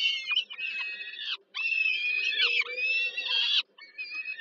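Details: Nestling peregrine falcons in Warsaw's Żerań district, Poland, being fed by the female at dinner on 15 July 2022: continuous loud, hoarse screeching with bent, wavering notes, pausing only twice.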